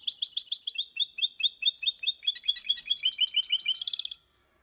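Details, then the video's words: Mule from a goldfinch and a canary, kept as a song bird for training, delivering a rapid high trill of repeated sharp notes that gradually descends, ending with a brief buzzy flourish. "Mixto Jilguero Cantando Limpio -mule goldfinch x canary singing for training / Mulet de chardonneret"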